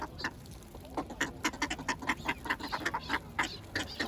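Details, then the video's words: Bread-fed ducks produce a run of sharp, nasal quacks, roughly one or two per second at first, then quickening into an irregular chatter of short calls. "鴨 鳥の鳴き声"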